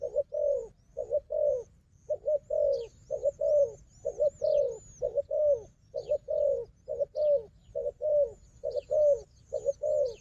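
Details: Wild dove known as a fierce fighter cooing near a strong decoy. Low coo pairs come in quick, slightly uneven succession, around a dozen in ten seconds, with thin high chirping overhead.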